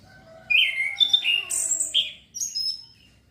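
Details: Male orange-headed thrush, a young bird still learning the ngeplong and ngecir styles, kept as a lure for young birds, sings bright whistled phrases that jump between mid and very high pitches, with a brief pause before a final rising note.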